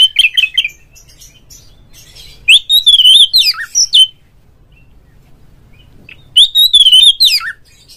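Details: Oriental magpie-robin in ngeplong, ngobra, gacor song, used to trigger song in other magpie-robins: a short twitter, then two long phrases of warbled, looping whistles with a low downslurred note, separated by a quiet gap of about two seconds.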